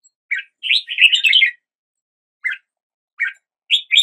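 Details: Red-whiskered bulbul: a fast, bubbling warbled phrase, then a pause. Single chirps follow, and a rising pair of notes closes it.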